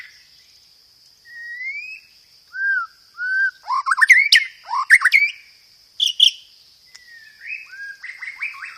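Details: Murai batu (white-rumped shama) singing sparrow-fight fill-ins and roll-tembak phrases, loud and clear: slow rising whistles, then sharp chattering notes and scattered downslurs, with a steady high-pitched background hum.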